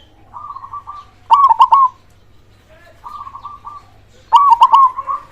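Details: Zebra dove, local perkutut with a big voice, used as a lure to trigger silent doves: soft rolling coos alternating with loud, clipped stuttering coo phrases roughly every three seconds.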